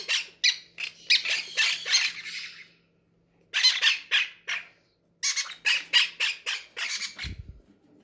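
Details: Hungry captive parrots at feeding time in a breeder's aviary, giving harsh, raspy squawks in rapid bursts of three to six, with short pauses between volleys, in a small indoor room.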